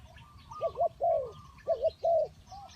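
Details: Spotted dove used as a trapping decoy, cooing two clear phrases, each a quick double note followed by a drawn-out falling coo, with faint answering coos and soft outdoor background.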